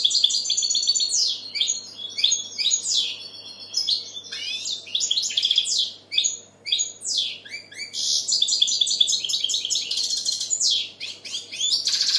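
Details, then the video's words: Goldfinch in sustained song: rapid, varied chirps, sweeping slurred notes and liquid twitters run almost continuously for twelve seconds, with short dips in loudness between bursts. "Goldfinch bird singing the best sounds (chirping)Щегол поет / Τραγούδι καρδερίναςGoldfinch sjunger"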